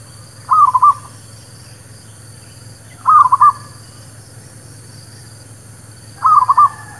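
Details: Zebra dove, local merbuk kampung or perkutut, used as a lure for trapping birds and for new birds; three loud bubbling, rolling coos spaced about three seconds apart over a steady low hum.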